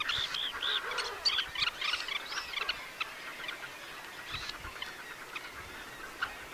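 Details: Red-necked Phalaropes on Flatey Island, Iceland, give rapid, short, nasal kip and twit notes, several birds overlapping, busiest in the first three seconds, then scattered calls over a soft background hiss.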